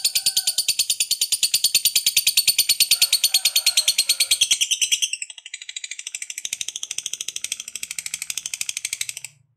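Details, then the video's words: Lovebird long ngekek song, played to provoke other lovebirds: a steady, rapid chatter of buzzy high notes lasting about nine seconds, growing quieter and thinner halfway through before stopping. "SUARA BURUNG LOVEBIRD NGEKEK PANJANG, CEPAT NAIKKAN EMOSI Pancing Lovebird Langsung NGEKEK"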